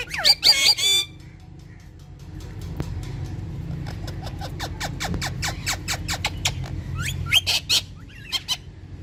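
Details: Two pet rose-ringed (ringneck) parakeets, said to talk in Urdu and to be talking and dancing with each other, give harsh, screechy squawks, then dry clicking ticks, then more shrill calls over a low hum.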